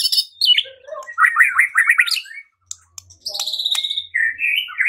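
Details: Lure song of a white-rumped shama, meant to make other shamas sing and fight: a rapid run of rising whistled notes, a short gap, then a high, sustained buzzy trill followed by clear, slurred whistles.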